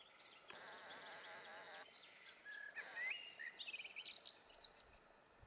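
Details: Corn bunting in the midlands of Gran Canaria, May 2020, gives a short, dry jangling song, quick ticking notes speeding into a glassy jingle, over a steady hiss of background noise.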